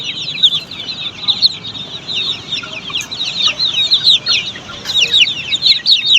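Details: Group of Australorp chicks on a poultry farm, shrill rapid cheeping from many birds, each note dropping in pitch, building to louder clusters toward the end.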